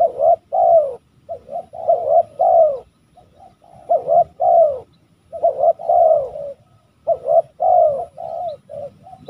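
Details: West Javan spotted dove cooing steadily, short grating notes followed by longer rolling, downslurred coos, phrases coming about every second or two with brief gaps between bursts.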